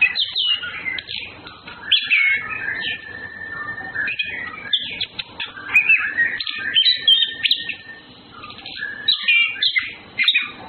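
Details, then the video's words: Orange-headed thrushes, male and female, flirting: a loud, varied warbling song with a long steady whistled note near the start, then tumbling phrases of slurred whistles and chattering notes, pausing briefly before resuming. "Birds Anis Kembang flirting Males Females birds"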